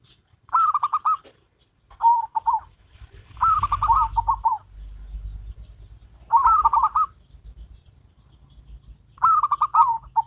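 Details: Duet between a local zebra dove and a crossbred one. Short rolling phrases of fast, trilled coos alternate every couple of seconds, some phrases steady and others dipping, over a low background rumble.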